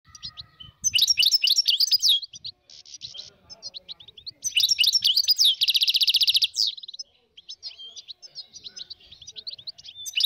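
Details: Dozens of wild European goldfinches in northern Morocco, 2022, pour out dense high twittering: tinkling, liquid phrases broken by short gaps and a bright buzzy trill in the middle, with several birds overlapping.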